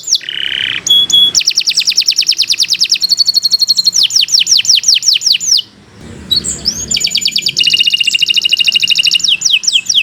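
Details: Persistent, long-running canary song used as a master recording: a low buzzy phrase, then rapid high trills and repeated descending whistles at roughly four per second, a short pause, and more fast rattling trills with sweeping notes.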